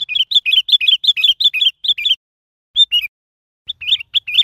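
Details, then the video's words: A sooty-headed bulbul calls in quick, bubbly two-note chirps, about three a second, then a pause, then a few more fluty phrases; nothing else is heard. "សំទ្បេងសត្វពពេចក្បាលខ្មៅ | Sooty headed bulbul Call"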